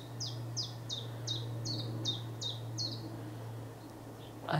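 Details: Chiffchaff, a summer visitor from Africa, singing from a treetop on a misty late-March morning on the Scottish coast: a steady run of eight high, clipped notes, about three a second, over a passing plane's low drone.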